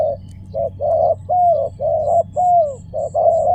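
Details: Spotted dove giving a series of mellow low coos, short and long notes alternating irregularly, a few with a falling whistled glide, while faint high pings sound softly behind.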